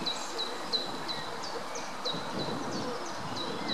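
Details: Greylag goslings (Anser anser) feeding at the Munich Botanical Garden give thin, high peeping notes, several a second and slightly downslurred, over soft rustling and low background noise.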